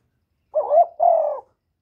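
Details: Spotted dove call used to lure wild doves, recorded without background noise: one clear two-part coo, a rising hollow note running straight into a longer, steady, slightly falling note, then silence.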